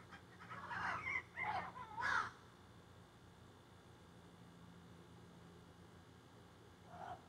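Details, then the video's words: Crows that flew into backyard trees, recorded on a phone while squawking and carrying on; three harsh, ragged caws in quick succession, then quiet, and one fainter caw near the end. "A Jungle Or Crows"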